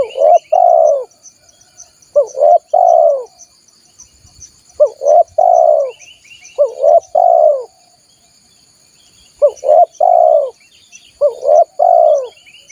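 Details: Spotted dove calling, a recording used to lure wild doves: six repeated phrases of brief rising notes followed by a long, drawn-out mellow coo, with faint high chirps and a steady insect drone behind.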